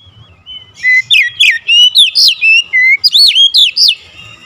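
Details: Oriental magpie-robin singing in a fierce, agitated way: a soft lead-in, then about a dozen loud whistles in quick succession, varied in pitch, some long and level, others arching steeply.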